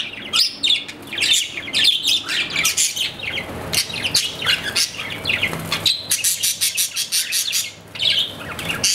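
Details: Captive budgerigar, an Australian parrot, chattering nonstop with dense high chirps, rapid clicks and scratchy warbles, briefly dropping quiet near the end.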